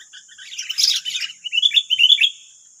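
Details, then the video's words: Sooty-headed bulbuls, nine wild birds facing one decoy bird in West Lampung, Indonesia: soft scattered chirps build to a dense burst, then a run of bright, rising whistled notes, over a steady high-pitched hum. "BERISIK AJA || 9 Burung Liar Lawan 1 Pikat || Kutilang"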